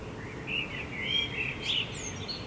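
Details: Common blackbird in Helsinki, Finland, July 2016, singing at night while the full moon sinks over rooftops; one continuous fluted, wavering phrase closing with a thin high flourish, backed by steady low traffic-like hum.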